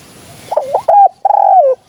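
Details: Dove cooing used as a hunting lure for doves: a short rough note followed by two clear, mellow coos, the last one long and sliding slightly downward.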